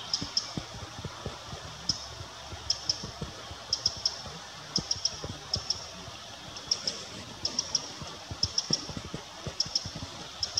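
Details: Eurasian wren (Troglodytes troglodytes) alarm calls at Würm, Mühltal: hard, high ticking notes in pairs and triplets, irregularly every second or so, over a low steady rumble.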